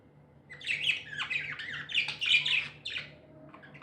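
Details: A pet budgerigar's cheerful chirping: after a quiet start, a run of rapid, bright warbling notes and squeaks, fading at the end, with a faint steady hum behind.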